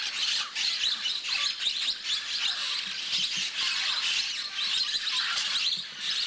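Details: Orange-cheeked parrots assembling above a clay lick in Manu, Peru, in the early morning: a dense, continuous flock chatter of shrill, scratchy chirps and squawks from many birds overlapping.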